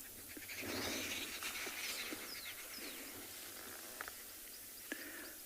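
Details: Flock of Arrow-marked Babblers in dense summer bush, Tswalu Kalahari Reserve, South Africa, sunrise on 1 November, squabbling in harsh rasping chatter, many overlapping voices; possibly alarm calling or a territorial dispute, a hyena looking toward them.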